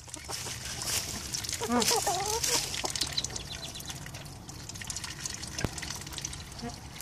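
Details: A family of Bernier's teal, four juveniles with their parents, gives a brief burst of short, nasal, duck-like notes in quick succession, over a steady wash of running water.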